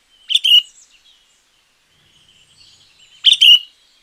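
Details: Two identical loud, rolling phrases from a sooty-headed bulbul, about three seconds apart, with a faint thin trill between them. The song is meant for luring wild birds or tutoring quiet ones.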